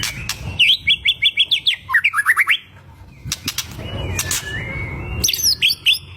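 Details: White-rumped shama in full song meant to provoke rivals: quick trains of sharp rising chirps, then a brief pause, a long flat whistle, and more high chattering notes.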